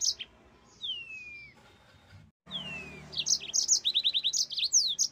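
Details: Yellow-fronted canary in lively song: long whistled notes slide downward, then a short silence, then rapid bursts of high, sharp chirps and quick repeated trill figures.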